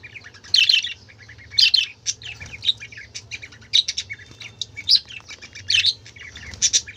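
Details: Budgerigars calling among colourful birds: irregular bursts of high, raspy warbling and bright chirps about once a second, over a faint continuous low hum.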